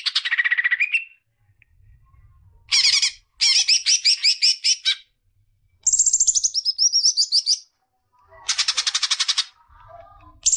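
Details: Song of a greater green leafbird, used to spur young birds into singing: a falling whistled phrase, then separate bursts of rapid high chattering trills and buzzy pulsed notes with short silences between them.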